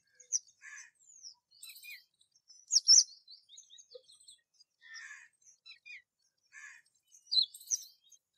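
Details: Rose-ringed parakeet: scattered short high chirps and squeaky notes, with a louder sharp burst near the middle and another near the end, separated by silent gaps.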